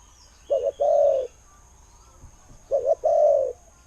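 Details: Spotted dove kept as a decoy bird, praised for its good voice: low, mellow cooing, a quick double note followed by a longer drawn-out coo, given twice about two seconds apart, with faint background hiss.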